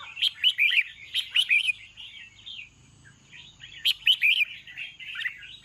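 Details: Red-whiskered bulbul singing in the evening: lively, chirpy, warbling phrases of quick rising and falling notes, in bursts with short pauses, against a faint low background hum.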